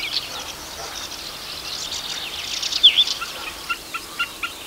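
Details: Common snipe (Gallinago gallinago) on waterlogged breeding meadows of the Biebrza–Narew marshes, northeast Poland, giving sharp, penetrating 'tück' notes in a quick regular series, a call made by both partners, over thin high chirps of other birds.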